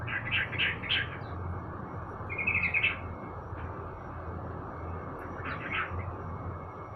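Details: A sooty-headed bulbul in the morning sun gives a burst of rough chirps, a short fast trill mid-way and another chirping cluster near the end, with a constant low rumble underneath.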